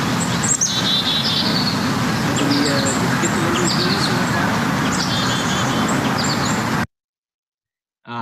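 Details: Black-capped chickadee alarm calls: high chick-a notes followed by three or four harsh, buzzy dees, repeated in quick series. More dees signal a greater predator threat, and the bird was probably reacting to a man nearby.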